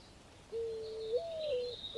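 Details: Mourning dove at a nest where babies are fed: one long, low, soft coo that slides up to a higher hooting note and then eases back down. Faint high bird chatter is heard behind it.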